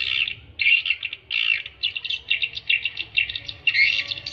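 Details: Swiftlet lure sound meant to draw in swiftlets, made of high, buzzy chirping bursts broken by short gaps and clipped twittering notes in irregular rhythm. A faint low hum sits underneath.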